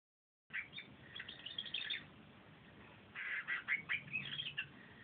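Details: Pet canary singing a bit on a sunny day, recorded on a phone: two bursts of quick high chirps and twittering trills, one lasting about a second and a half, then a louder run after a short pause, over faint background hiss.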